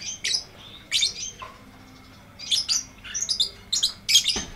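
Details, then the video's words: Lovebird delivering the long ngekek song, used to tutor lovebirds that have stopped singing: shrill, buzzy chirp bursts in quick clusters, with a short quiet gap before a rapid final run. "MASTERAN LOVEBIRD NGETIK NGEKEK PANJANG FULL DURASI!!"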